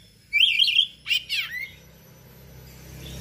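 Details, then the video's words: Oriental magpie-robin singing in gacor style with varied phrases: a rapid warbled trill followed by two harsh, sweeping notes, then a near-silent tail with faint background hum. "KACER GACOR SPECIAL FULL ISIAN MATERI LANGKA"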